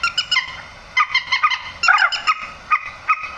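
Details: Grey-headed swamphen lure call for netting birds at night: short, honking, nasal notes repeated roughly every fifth of a second, with a louder squealing cluster near the middle.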